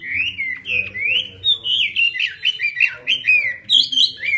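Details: Chinese hwamei singing in the 'hót xòe' style with eagle-wing display: loud, rich whistled phrases sliding up and down, delivered in a rapid, varied stream of slurred notes with short pauses between bursts.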